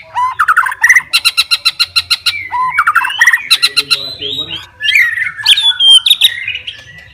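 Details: White-rumped shama in combative song aimed at a rival: rapid rattling note series, then sliding whistles and harsh rising phrases.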